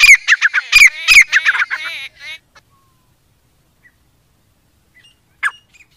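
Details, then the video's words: Fast run of harsh, ringing notes from a grey francolin for about two seconds, followed by near silence and one lone call toward the end. "Teetar awaz Teetar voice Teetar ki awaaz"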